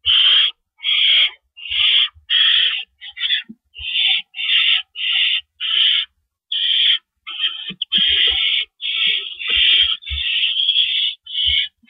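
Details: Owl at the nest at 4:31 AM on April 4, 2012, with adults swapping rabbits in and out: a long run of rough, hissy screeches, some short and some drawn out, delivered almost continuously with occasional thuds.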